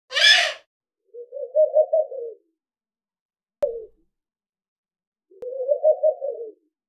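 A Eurasian eagle-owl gives two drawn-out, wavering hoots about four seconds apart, after a brief harsh hissing burst and a sharp click.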